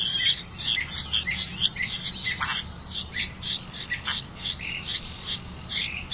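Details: Red-vented bulbul feeding crickets to its young: busy high chirping in uneven bursts, some notes dipping lower, over a faint steady hum.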